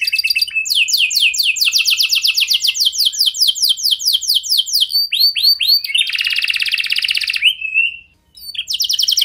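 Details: Canary singing to make other canaries answer: rapid descending whistled notes in long rolling trills, then a buzzy rattled phrase and a brief pause before the song resumes.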